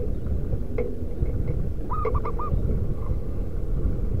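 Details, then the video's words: Local wild-type zebra dove used as a lure to call wild doves: one fairly faint cooing phrase, a longer note followed by three quick short notes, half buried under a constant low rumbling background. "Merbuk pikat lokal suara si battosai pemanggil perkutut di alam liar"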